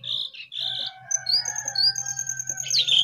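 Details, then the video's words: A jongkangan perched above its cage gives two buzzy high notes, then slurred whistles and a sustained thin trill, over a constant low hum. "Jongkangan Gacor Di atas Sangkar"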